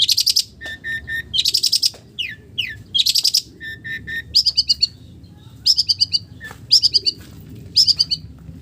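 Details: Long-tailed shrike imitating village birds: loud harsh churring rattles interleaved with lower whistled notes and rising slurs, followed by repeated chattering phrases of pulsed high notes.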